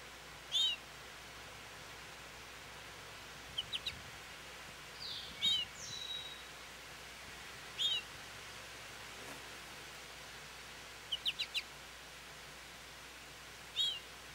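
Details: American goldfinch calling for attention at a feeder: bright, high, twangy chirps, single or in quick twos and threes, repeated every two to three seconds over steady outdoor hiss, with a faint whistle from another bird.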